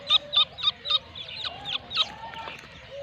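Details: Grey francolin, known locally as Irani teetar, of the 2nb breed, from Pakistan: loud, harsh, clipped notes repeated about four times per second, becoming more irregular, with a softer lower whistled tone running beneath.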